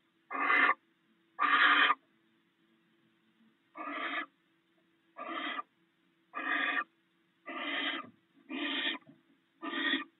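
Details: Barn owl pair snacking on rats at the nest in the early morning; eight short, coarse hissing bursts, first two louder, the rest coming about once a second, with a steady low hum underneath.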